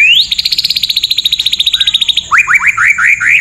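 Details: White-rumped shama song packed with harsh 'shot' phrases: a fast series of about thirty sharp, evenly spaced high notes over two seconds, then a string of five quick rising whistled slurs.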